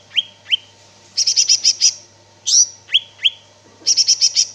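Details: Greater green leafbird (cicak ijo) singing gacor style: paired rising whistles, a quick high chip series, a loud sweeping note, more whistles and a final chip run.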